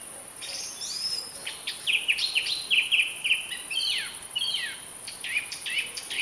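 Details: Singing song thrush: a busy sequence of whistled, chattering and downslurred notes, some phrases given twice, with short sharp clicks between, over a steady high hiss.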